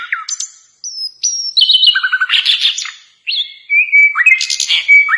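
An Asian brown flycatcher sings a fast, varied medley of high chirps, thin whistles and short rattling trills, with brief pauses between bursts.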